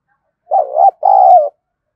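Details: Loud two-note coo from a decoy spotted dove kept to attract wild doves, sung in the thổ voice: a short wavering first syllable, a brief gap, then a longer steady note that falls slightly at the end.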